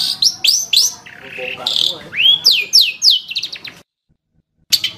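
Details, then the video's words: Vigorous 'gacor' song of a long-tailed shrike: quick rising-falling slurs, a buzzy burst and a bright arched whistle, then a short silence before more notes. "Suara Burung Cendet | Gacor"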